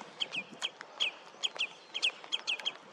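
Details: Common redshank (rødstilk), recorded on a Nikon Coolpix P1000: clear, ringing downward-sliding notes given in quick pairs and triplets, about a dozen in three seconds, over soft steady background hiss.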